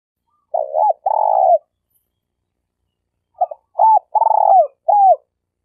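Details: Spotted dove (tekukur), Malaysian denak lure bird for trapping: two coo phrases separated by silence, each with short stuttered notes, an arched coo, a long rolling trilled coo and a closing falling coo.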